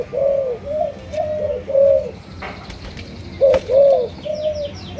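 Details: Malaysian-line spotted dove cooing: mellow, slightly arched low notes in short phrases with a pause midway, faint thin chirps from other birds higher up and a brief click.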